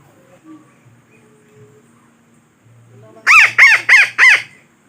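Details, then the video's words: Near-quiet opening, then four loud, raspy parakeet squawks in quick succession near the end. The calls form a lure sound meant to draw the birds in for capture. "Suara Pemikat Burung Betet"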